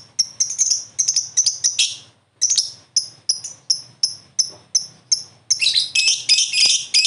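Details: Lovebird, a prospect bird, answering another lovebird with bright, high chirps in quick uneven runs, ending in a burst of harsher, dense chattering notes.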